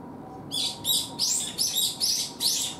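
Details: Young Brown-eared Bulbuls in a calling contest trade harsh, high, rasping calls in quick succession, about six notes in under three seconds, over a faint low hum.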